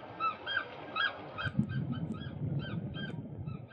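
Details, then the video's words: Eurasian oystercatchers competing in groups for a partner, with some fighting and an older bird chasing off a younger one; loud shrill piping notes in bursts about every half second over steady low background rumble. "Fighting Oystercatchers / Vechtende Scholeksters (Haematopus ostralegus)"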